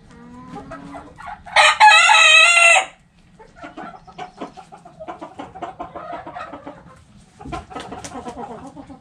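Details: Backyard flock: a rooster's loud, harsh crow bursts out for about a second, surrounded by quick, repeated hen clucks roughly four per second and a faint earlier crow.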